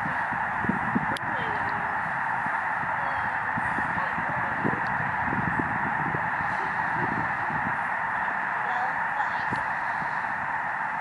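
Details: Migrating Canadian Snow Geese massed on Lake Springfield, Illinois, heard from the shore; a constant chorus of honking with a single sharp click early on.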